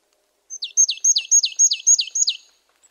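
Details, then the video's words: Single rapid run of seven to eight high, clipped, downward-sweeping notes from a marsh tit, loud and clear against silence. "Marsh tit 1h bird sound"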